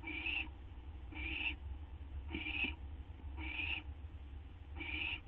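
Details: Hissing owl screeches recorded at 12:38 AM on 8 September 2011 as the bird waits to be handed a gopher or vole. Five harsh bursts arrive at slightly uneven intervals over a low background drone.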